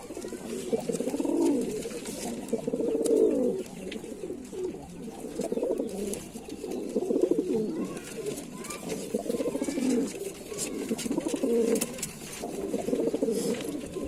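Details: Long run of low, rolling Lalsara pigeon coos, phrase after phrase with brief gaps, accompanied by scattered clicks and soft rustling noises.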